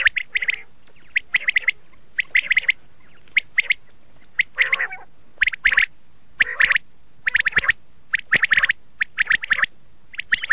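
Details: Red-shade common quail, known locally as laal batir: a series of short, harsh chirping calls in quick bursts, some doubled or tripled, with uneven gaps and a few lower squawky notes.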